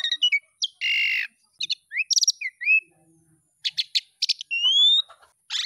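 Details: Asian pied starling song played to help young starlings learn to sing: a jumble of high whistles, rising slurred notes, harsh buzzy bursts and clicking chatter, delivered in quick irregular phrases.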